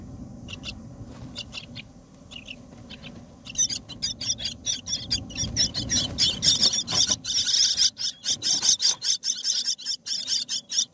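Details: Myna nestlings, 18 days old in the nest while being fed by parents, give harsh, rasping high begging calls, soft at first, then rapid and insistent bursts about once a second, with a low rumble behind.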